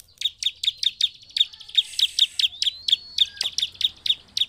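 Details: Bar-winged prinia, a lively bird used to provoke other prinias into singing, gives a rapid series of sharp, high chip notes, about four to five a second, with a thin whistled note running underneath midway.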